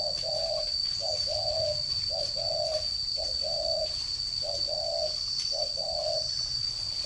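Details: Spotted dove kept as a caged ground decoy in northern Vietnam, recorded 11 June 2018. It repeats low, soft coos about every second, a brief note followed by a drawn-out one, over a constant high-pitched whine.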